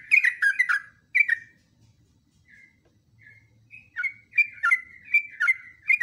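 Yellow-vented bulbul giving bursts of bubbly, chattering notes around mid-high pitch, in quick clusters with short pauses and a quieter gap midway.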